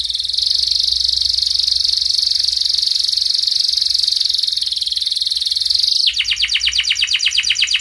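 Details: Canary in breeding condition singing a 'cuit cuit ngerol' song to call a rival, used as a lure to teach young canaries: a long unbroken high buzzy trill held about six seconds, then a rapid run of repeated sharp notes.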